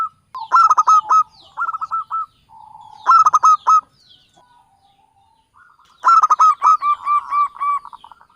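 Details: Lure song of a local Java zebra dove, meant for trapping: three separate loud phrases of staccato, stuttering coos, each breaking into a quicker rolling trill, with soft drawn-out notes between.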